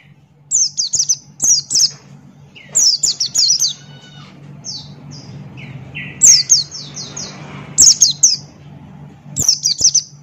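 Buxton's white-eye sings in quick bursts of high, thin, tumbling notes, each burst of four or five notes, repeated every second or two, over a low steady hum.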